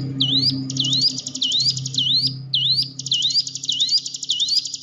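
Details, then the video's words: Hill prinia song meant to get a silent caged bird singing: swooping dip-and-rise whistles repeat about twice a second, laid over stretches of dense buzzing trill, with a soft low hum underneath. "ciblek gunung diam saja kurang loss mental ciut latih dengan pancingan ini"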